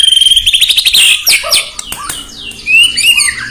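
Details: White-rumped shama (murai batu) singing to provoke rivals: a fast pulsed high trill opens, then scattered sharp notes and a few clear swooping whistles near the end.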